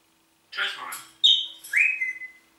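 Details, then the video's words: Talking Congo grey parrot greeting with "Guten Morgen": a speech-like phrase followed by a sharp high whistle and a rising, sustained whistled note, quiet room. "sprechender Papagei Rudi Guten morgen"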